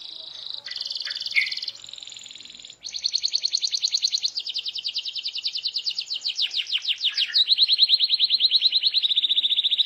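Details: Loud gacor canary singing so that other canaries answer: high buzzy and whistled notes, then a long rapid pulsed trill that speeds and brightens, ending in a steady fast rattle.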